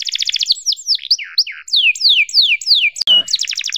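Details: Canary tutor song for young birds: quick trill, then a series of clear downward-sliding whistles spaced about a quarter second apart, a brief click, and a return to rapid trilling.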